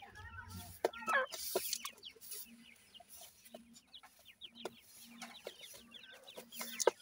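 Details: Francolin (teetar) chicks, 28 days old, feeding in a yard, give a steady stream of thin, high chirps and peeps, several each second, over a low intermittent hum.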